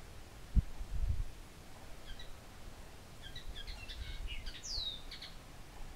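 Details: Common linnet song: a scattered series of soft high chirps building to a brighter twittering phrase with a clear descending whistled note, with low thumps and rumbling noise near the start.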